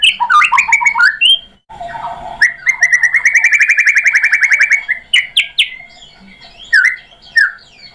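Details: Provocation song of a white-rumped shama played to make other birds reply and sing: a tumbling burst of varied descending whistles, then a long rapid trill of evenly repeated notes, followed by scattered upswept and downslurred whistles.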